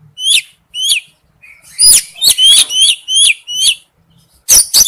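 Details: High, clear whistles of a male oriental magpie-robin calling to its mate, each note a sharp rising slur, given singly and then in a faster burst of five or six, ending with loud harsh chirps.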